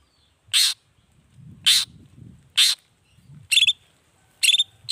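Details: Long-tailed shrike singing actively, a recording meant for morning, midday and evening play to provoke other shrikes into answering; harsh, broadband rasping bursts come about once a second, five in all, over a faint low hum.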